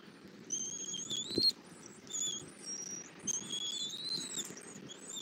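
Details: Bald eagle feeding an eaglet after bringing a catfish to a Southwest Florida nest, 8 February 2024, 11:00. Thin, high whistled calls come in three separate phrases, some rising and wavering, with a soft knock and low background hum.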